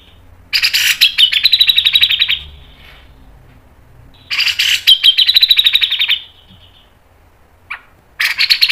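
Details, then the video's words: Grey-cheeked bulbul tutor song in 'nembak panjang' style: two long, dense phrases of fast grating notes, each about two seconds, descending slightly, with a quiet gap between and a short burst at the end. "MASTERAN CUCAK JENGGOT MBESET NGEPIK NEMBAK PANJANG SPEED RAPAT | PANCINGAN cucak jenggot"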